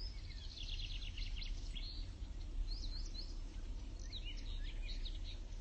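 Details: Blyth's reed warbler recorded at 20:25:16 gives two bursts of quick, varied chattering and whistled notes, high-pitched and somewhat faint, over a steady low rumble of background noise.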